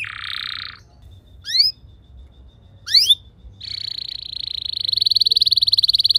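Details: Canary song used to train other canaries: a buzzy burst, two sharp rising whistled notes, then a long sustained rolling trill that grows steadily louder.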